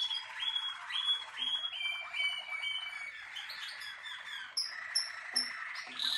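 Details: Malinois Waterslager canary, a bred singing canary, in song: liquid rolling phrases with repeated rising notes, then sharp high whistled bursts near the end, recorded indoors.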